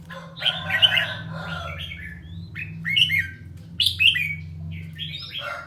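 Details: Caged red-whiskered bulbul, 'ché' type, training its song: short rich warbling phrases and sharp chirps separated by pauses, with a constant low mechanical hum behind.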